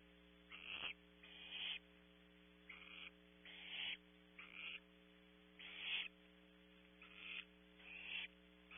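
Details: Barn owl owlet at the nest, Audubon Starr Ranch, California, producing a rapid series of about ten short, harsh hissing bursts of varying loudness, with a low steady electrical hum underneath.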